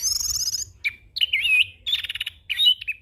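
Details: Young orange-headed thrush singing a continuous 'ngeroll' song full of mimicked phrases, used for training and luring other birds: a trilled high warble, then separate slurred whistles and buzzy rattling notes with short gaps.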